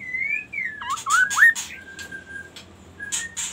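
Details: Varied magpie-robin phrase: a clear descending whistle, swooping slurred notes mixed with harsh scratchy bursts, then a long flat whistle and a short faint repeat. Low background hum.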